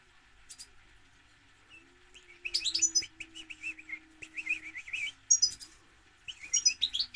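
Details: Goldfinch song: high tinkling notes rising into a long rambling sequence of twitters and short buzzy trills, with a faint low steady tone behind.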